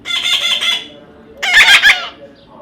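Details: Tame-in-progress baby parrot calling: a rough, buzzy squawk followed by a louder, choppier screech of three quick pulses over faint room noise.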